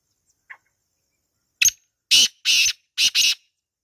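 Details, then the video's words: Black francolin, wild, calling in a natural setting: a faint preliminary chip, a sharp lead-in note, then two doublets of rasping, buzzy notes about half a second apart. "Kala Teetar Ki Awaaz | Real Wild Black Partridge Sound | Jungli Teetar Calling"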